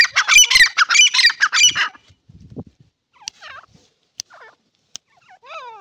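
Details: Iranian partridge calling: a burst of loud, harsh, raucous notes for about two seconds, then scattered short downward-curving chirps and a few brief clicks in near silence.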